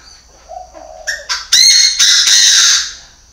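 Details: Chinese francolin kept as a lure bird, recorded in 2019: after a soft low note, short loud harsh notes build into a sustained, rasping, strongly ringing phrase lasting about a second before fading.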